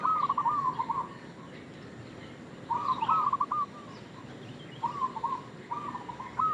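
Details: Lure call of a local zebra dove, bait sound: short bubbling cooed phrases repeated about every two seconds, each a quick run of pulsed notes ending on a higher note, over a low steady background hum.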